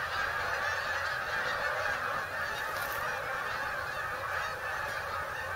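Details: Geese on migration landing at Bombay Hook refuge, Delaware: thick overlapping honking from many birds, rapid and irregular, forming an unbroken chorus.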